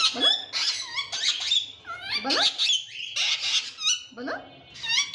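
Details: Indian ringneck parakeet talking indoors: repeated squeaky, rising-and-falling phrases in a mimicked speech rhythm, about one phrase per second, with nasal harmonic tones.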